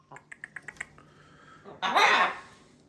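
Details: Captive macaw flock at kitchen playtime in a change of environment: a run of soft clicks and taps, then one loud, harsh, raspy squawk lasting about half a second, in a small indoor room.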